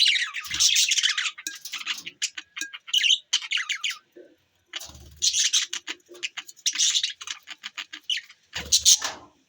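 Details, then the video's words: Playful, social pet budgies recorded December 25, 2023, chattering in long runs of harsh warbling and quick ticking chirps, pausing briefly before resuming, with faint low bumps. "chirping sound budgies birds"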